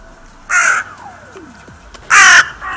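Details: Crow at the Steinrevier winter feeding site on 6 January: two loud, coarse caws about one and a half seconds apart, with a faint descending whine between them.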